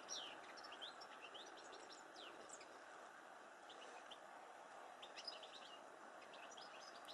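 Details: European goldfinch at a feeder on 23 January 2013; quick, liquid twittering of short high chirps and slurred notes in loose bursts throughout, over a steady broad background rumble.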